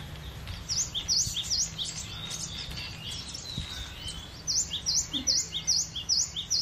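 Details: Cinereous tit (gelatik batu) singing a soft phrase of quick high notes, then a stronger, evenly paced run of about eight sharp, bright notes, over a faint low hum.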